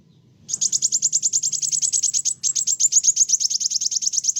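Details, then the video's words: Kolibri wulung sunbird singing vigorously to agitate other birds: a continuous, rapid, very high trill of evenly repeated sharp notes lasting nearly four seconds with one brief break. "Kolibri wulung gacoorr bikin burung lain emosi"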